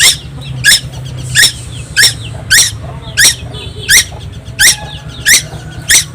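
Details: Tuwu, a young bird from Timor Island known for noisy, nonstop singing. Ten shrill notes fall sharply in pitch and repeat at a steady pace of roughly one every two-thirds of a second, with faint low rumble behind.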